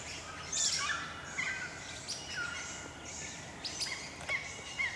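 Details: Swift parrots from a gathering of about 120 feeding on Spotted Gum blossom near Ellalong, Lower Hunter Valley, NSW, in early sun give high, sharp metallic chirps and squeaky pips in an overlapping chorus, with Little Lorikeets and Noisy Friarbirds behind and steady hiss.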